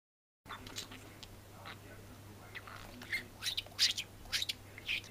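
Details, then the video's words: A talking budgerigar chatters to its female companion in quick, scratchy bursts of high squeaks and chirps at an uneven pace, over a low electrical hum. "Говорящий волнистый попугай разговаривает со своей подругой"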